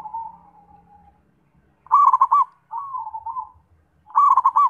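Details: Zebra dove song: a drawn-out, slightly wavering coo followed by quick rolling staccato notes, then another trailing coo and a fresh burst of clipped, bubbly notes.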